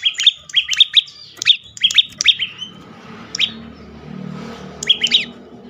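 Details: Bar-winged prinia song used to lure other birds into singing: loud, sharp, metallic chipping notes in quick clusters of two to three, repeated with short pauses.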